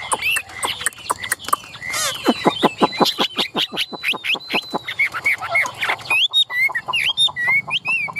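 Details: Caged, tame Chinese hwamei in Vietnam, which fans its tail and lifts its wings while singing. A rapid run of sharp repeated notes, about six per second, then loud whistled slurred phrases, with a faint thin whistle overhead.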